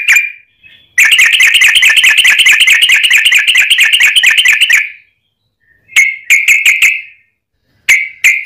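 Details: Fighting song of a yellow-vented bulbul with a long rapid trill, played to provoke other bulbuls: about four seconds of fast, rattling, bubbly notes, followed by short groups of four to five clipped notes.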